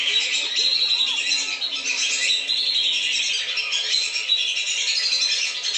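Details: Lesser whistling ducks on a lure recording for drawing them down, a busy chorus of high whistles with a few clearer wavering notes lower down early on.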